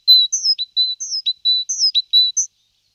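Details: Great tit moving into a nest box repeats a whistled phrase four times. A level note is followed by a higher slurred note and a quick downward tick, sung briskly and clearly with no other sounds.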